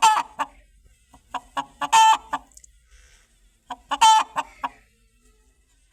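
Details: A chicken calls with bursts of quick clucks, each run ending in a loud, raspy squawk; three such outbursts separated by brief pauses.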